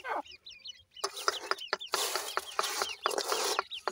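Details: Teetar (grey francolin) chicks squabbling with their mother after being fed: a short run of high rising cheeps at the start, then loud scratchy scuffling noise with a few peeps breaking through.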